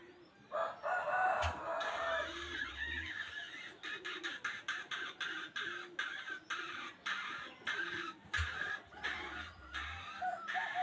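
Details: A wild chicken, used as a trapping lure, crows once in a raspy phrase near the start. A rapid series of sharp clicks and knocks follows over a steady background hiss.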